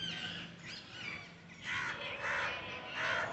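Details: Parrots in trees giving harsh, ragged squawks with strong harmonics, several overlapping calls in rough bursts roughly every second, louder toward the end, with an outdoor background hiss.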